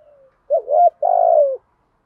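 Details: A single coo phrase from a spotted dove in the Vietnamese thổ style, used to stimulate captive doves in training. A soft lead-in, a quick rising hoot, then a long, slightly trilled, falling coo.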